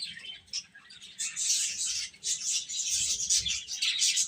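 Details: High, thin peeping of many chicken chicks, starting softly and then running together into a dense, steady chorus.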